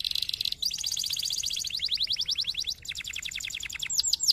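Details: Canary song meant to get other canaries singing: a bright, continuous run of rapid whistled trills. The notes sweep downward and come in several distinct phrases of differing speed, ending in sharper, louder chips.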